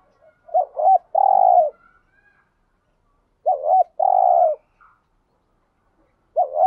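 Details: Spotted dove calling, a full song set used to stimulate other doves, with thúc gù, gáy gọi and đảo bài styles; a two-part hooped coo followed by a long steady coo, repeated about every three seconds, in a quiet background.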